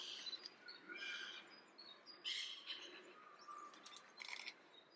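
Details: Adult Icelandic Redwing, subspecies coburni, in soft December song at Leiden, Netherlands, 15 December 2015: a quiet, rambling run of thin chirps, squeaky notes and brief trills, closely spaced across the whole stretch.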